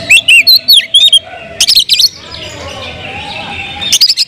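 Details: Oriental magpie-robin (kacer) singing loudly to provoke others; a quick run of bright whistled notes opens, then scratchy bursts, a long quieter murmuring stretch, and a final short whistled flourish.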